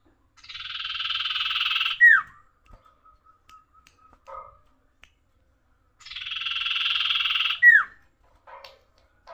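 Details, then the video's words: Tailorbird giving a lively njoros song: a buzzy trill of about one and a half seconds ending in a sharp falling whistle, repeated after four seconds, with a few soft clicks between. "suara burung sirtu gacor njoros"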